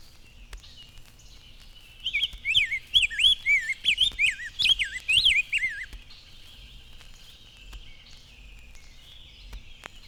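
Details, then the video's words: In spring, a male Rose-breasted Grosbeak sings from a willow while the brown female brings a weed stem to her nest. His robin-like song is a rich warble whose phrases run together rather than being chopped off, and it seems to mention "whippoorwill". "It is a richer song than the robin's, and he runs his phrases together instead of chopping them off."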